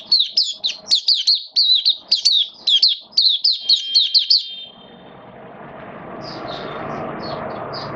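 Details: Caged Oriental white-eye kept as a hobby songbird, recorded 8 October 2022 during wet rainy weather, singing 'buka sing raja': about four seconds of rapid, very high twittering chirps, then fainter scattered notes over a hissing background.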